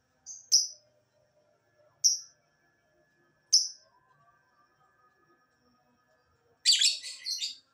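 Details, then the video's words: Lovebird lure sound meant to set lovebirds calling: three sharp high chirps spaced about one and a half seconds apart, ending in a burst of rapid harsh chattering. "Pancingan Lovebird agar BUNYI, Lakbet malas pun akan NYAUT"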